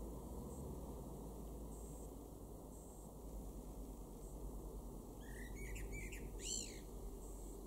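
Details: Garden in Weener, East Frisia, Germany, June 2022, with a male Common Blackbird: after seconds of near quiet, one short song phrase of swooping, arched notes and a shrill twittered ending, over low background noise.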